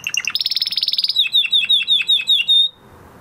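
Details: Male canary singing after its moulting period: a fast rolling trill shifting into a sequence of clear downward-slurred whistles repeated about four times a second, then silence.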